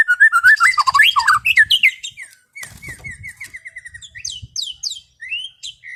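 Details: White-rumped shama in relaxed afternoon 'ngeplong' song. It opens with varied fluting, swooping whistles, then a steady series of short repeated notes about four per second, followed by high falling chips and a final whistle. Faint low background rumble.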